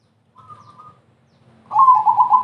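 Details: Crossbred zebra dove singing to draw other doves into song: a faint, higher trilled note, then after a short gap a loud burst of quick, bubbling coos over low hum.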